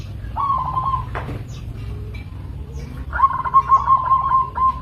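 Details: A local zebra dove calls a clear trilled coo, pauses with a soft click between, then delivers a longer rolling, stuttering phrase; low background hum throughout.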